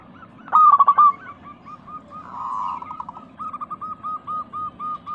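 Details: Local zebra dove with a clear crystal voice, recorded as a lure for caged doves: an opening burst of loud staccato coos, a short rolling purr, then a long row of soft repeated coos.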